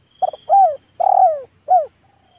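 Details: Male spotted dove giving a short cooing phrase: a brief stuttered note, then two longer mellow coos that slide downward, and a final short coo, all within about two seconds, over a faint steady high-pitched whine.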